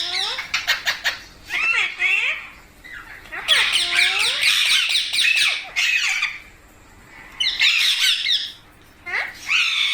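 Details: Parrot giving rapid, harsh squawks and bent, wavering screeches in clustered bursts, with brief quiet gaps between the noisier runs of calls.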